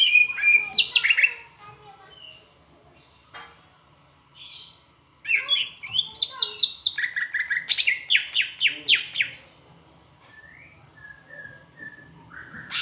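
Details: Greater green leafbird from Palembang singing a tutor song blended with Asian brown flycatcher imitation: bursts of rapid high chirps and sharp repeated notes, separated by quieter spells with faint short whistles.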